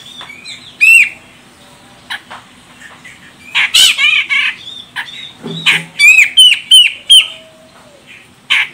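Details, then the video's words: Grey-cheeked bulbul female from Medan, Sumatra, used to provoke a male into song; scattered harsh rasping notes build into a run of loud, clipped upslurred chirps near the end. "Cucak Jenggot Medan Betina Ini Bikin CJM Jantan langsung Koar Koar"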